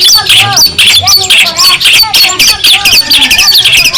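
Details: Long-tailed shrike from Madura, used as a model song for other songbirds: bursts of sharp, high whistled notes and scratchy chatter in quick phrases with brief gaps between.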